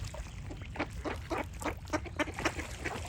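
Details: Duck giving rapid, nasal quacks, about four per second in an uneven rhythm, each call short and harsh, over a low background rumble.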